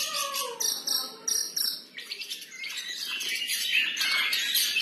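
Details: Long-tailed shrike singing freestyle and in full voice: a run of buzzy high bursts, then a continuous dense stream of scratchy, varied chatter with brief falling whistles early on.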